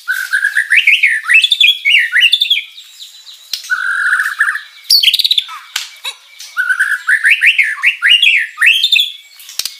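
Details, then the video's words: White-rumped shama singing actively with luxurious mimicked material, used to lure rival birds to reply: loud, clear rising whistled phrases in rapid zigzag runs, a sustained warble, sharp high chips, then more rising whistled runs. "MURAI BATU GACOR full isian materi mewah"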